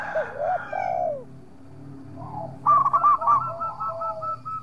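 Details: Local zebra dove (perkutut lokal) singing actively, recording meant as a lure to make rival birds answer: low wavering coos, then a quick run of clipped staccato notes settling into a steady repeated phrase.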